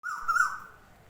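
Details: An Asian koel in a tree in March, as the hot season begins, gives a single clear whistled note that rises slightly and fades over about a second; it calls about every two minutes, and there is faint background noise.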